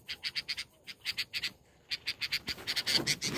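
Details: Parent red-vented bulbul at its nest chattering loudly, afraid a person will take its chick and trying to peck him. Rapid harsh clicking notes come in quick runs, pause briefly, then resume louder with rustling at the end.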